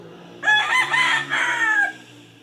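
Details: Rooster crowing close by, a loud raspy cock-a-doodle-doo in several linked syllables lasting about one and a half seconds, with a low hum underneath.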